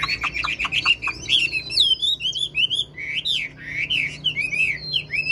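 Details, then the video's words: Caged wild-caught old Chinese hwamei with a fine singing voice delivering fast, loud whistled phrases: a quick chattering start, then repeated rising and falling slurred notes. "Chim già rừng chất giọng cực hay"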